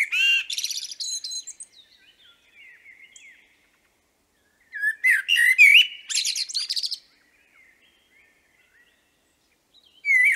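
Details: A common blackbird sings in the background in Liepāja, Latvia, in May 2024. Its separate phrases come a few seconds apart, each mixing mellow fluted notes with a high, squeaky twittering flourish, with quiet pauses between.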